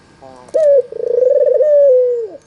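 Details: Albino Barbary dove, white with red eyes, kept as a calling lure: one brief sharp note, then a sustained trilling purr that holds steady and drops away at the finish.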